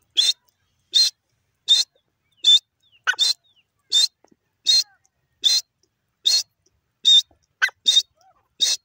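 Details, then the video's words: A pair of grey francolins (teetar) calling: loud, harsh, high notes repeated steadily about every 0.8 seconds, around a dozen in a row, with a couple of thinner slurred notes slipped in between. "new jore grey francolin birds teetar awaz"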